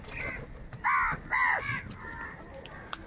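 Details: Crows fighting for food, giving two loud harsh arched caws in quick succession, with fainter calls before and after against a noisy outdoor background.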